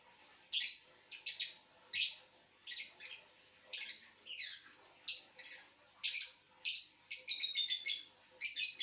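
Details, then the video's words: Resting lovebird lying down and calling, giving piercing high chirps and short squeaky trills in uneven bursts, with quick stuttering runs between louder single notes; the background is otherwise silent. "Love bird Tiduran sambil bunyi"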